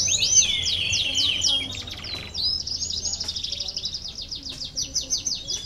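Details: Canary song intended to prompt lazy canaries to sing: rapid high swooping notes, a brief buzzy section, then a long, fast, evenly repeated high trill.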